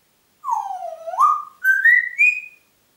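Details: Kept Congo grey parrot in Diebach near Hammelburg, Germany, recorded April 2012, giving a long whistle that dips, then climbs in steps to a high sustained note, clear and tonal against a silent background.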